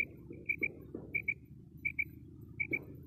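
A female common quail gives soft, high paired notes, 'bree-bree', repeated about every three-quarters of a second over a low background rumble.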